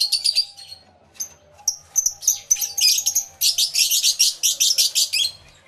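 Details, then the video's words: Lovebird aviary with many birds, stereo recording via camera and two external microphones: scattered piercing chirps, then a steady run of quick, evenly spaced shrill calls. "Lovebird Sounds Aviary Series V1"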